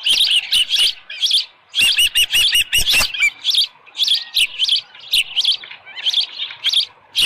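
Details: Dunrovin Ranch osprey nest, July 24, 2018, about 6:52 AM with a headless fish. Clear high chirps repeat in paired and tripled notes, a quick stuttering series near the second mark, then steadier spaced calls.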